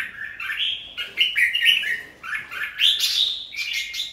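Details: Red-whiskered bulbul at a singing competition sings a fast, lively run of bright warbled phrases, rising and falling without pause; other birds may be chattering close by.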